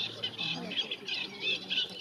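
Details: Eurasian reed warbler at Lake Neusiedl in Neusiedler See–Seewinkel National Park on 20 April 2018: continuous harsh, scratchy chattering with grating and churring notes and a few thin, clearer whistles woven through.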